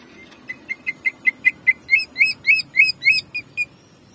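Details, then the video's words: Caged-bird training recording of a greater green leafbird, cucak ijo, in jamtrok style: an accelerating string of sharp chips becoming fuller, buzzy double notes, then trailing off, roughly four notes per second. "CUCAK IJO GACOR JAMTROK TEMBAKANYA BIKIN PANAS"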